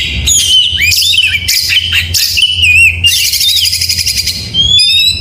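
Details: Oriental magpie-robin in morning gacor song: whistled wavy notes, buzzy high trills and a closing pair of thin rising whistles, over a steady low hum.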